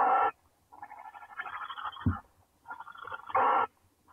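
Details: Owlets huddled in a nest of eight hatched chicks as their mother returns, giving harsh broadband hissing bursts, two loud ones about three seconds apart with rougher, quieter rasping between them.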